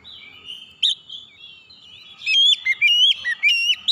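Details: Oriental magpie-robin lure song used to prompt hard-to-start magpie-robins into singing. A quiet, meandering warble gives way to a loud series of rapid, ringing whistles with upward flicks in the last second and a half.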